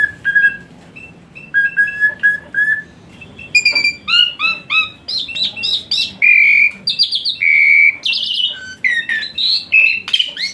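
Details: Asian pied starling song intended to coax a lazy-singing starling: steady whistled notes at first, building into a dense medley of chirps, buzzy phrases and loud squeaky whistles.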